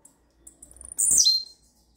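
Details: A blue-black grassquit in a rare "bell" song type gives a few faint, very high ticks, then one loud, buzzy, hissing note that slurs sharply downward and ends abruptly.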